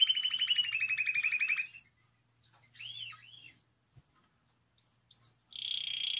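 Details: Spanish timbrado canary singing as a training recording: a rapid pulsing trill that fades out, a pause with a few scattered arching chirps, then a sudden resumed buzzy trill.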